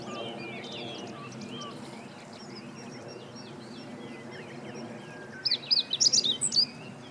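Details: Meadow bunting, recorded 20 March 2015, gives a short burst of high, clipped, tumbling notes near the end, after several seconds of softer chirps and twitters from other birds in the background.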